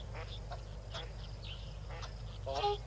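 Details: Yellow-billed duck accompanied by six ducklings at Tau Waterhole, afternoon of 12 February 2022, on a livecam: several faint nasal calls and thin high notes, then one clearer harmonic call near the end, over a steady low hum.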